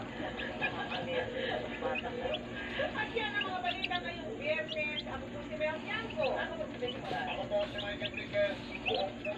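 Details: A flock of day-old chicks in a brooder peeps nonstop. The high, wavering cheeps come in quick series, and many birds overlap in a bright, busy chorus.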